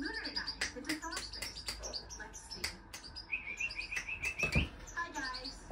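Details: Hand-tame European goldfinch giving scattered sharp chirps, then a rolling trill of quick repeated notes, with clicks and a person's voice in a small room.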